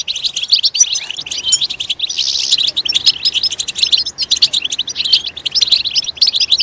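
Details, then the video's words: European goldfinch singing, played to encourage goldfinches to chirp loudly: dense, lively twittering mixing clear high notes, rattling trills and a brief buzzy burst partway through. "Stimulating a goldfinch clip to make it chirp in a loud and wonderful voice"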